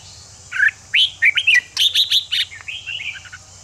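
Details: Red-whiskered bulbul singing to fire up other bulbuls for fighting: lively burst of slurred whistles and rapid chirped notes, loud and close, ending in softer trailing phrases over a constant high background hiss.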